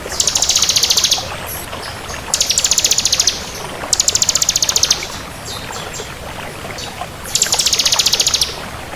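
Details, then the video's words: Bar-winged prinia of the 'kristal' variety in vigorous song: high, buzzy, machine-like trills of roughly one second, repeated four times with gaps, plus a few faint chips. "Suara Burung Ciblek Kristal Gacor"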